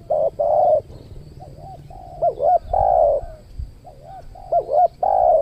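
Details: Tekukur, or spotted dove, cooing at a new luring location in the Riau Islands beside a trained decoy bird; repeated phrases of quick wavering notes ending in a drawn-out soft coo, about three phrases, over low rumbling noise.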